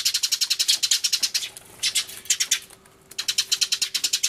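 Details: Sparrows crying loudly in a commotion, with a turtledove nearby, recorded 24 March 2013 on an Everio camcorder: rapid, sharp, high chirps repeated about eight times a second in loud runs, broken by a short quiet gap midway.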